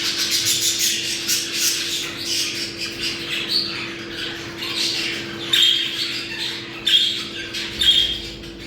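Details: Budgerigars' mating sound, used to bring birds into breeding condition: dense twittering squawks, then sharper whistled chirps about once a second toward the end, over a faint hum.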